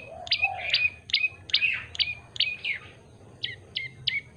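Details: Yellow-bellied prinia chirping rapidly in high, clipped notes with buzzy tails, after a soft lower whistle, then a pause and a final short run of sharp notes.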